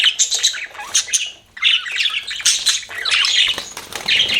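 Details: Pet budgerigars chatter with fast, high chirps and squeaky warbles, falling silent briefly after a second and then resuming more loudly.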